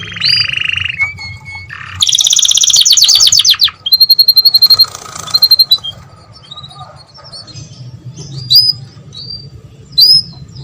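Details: Canary mating song meant to encourage breeding: a short pure whistle, a burst of rapid trilling, clipped repeated notes, then quieter pauses broken by single high chirps over a low background hum.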